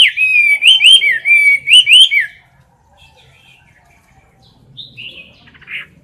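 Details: Close-up of a caged Chinese hwamei singing in competition style: about two seconds of loud, rich whistled notes that swoop up and down in quick succession, then near silence broken by a few soft, faint notes.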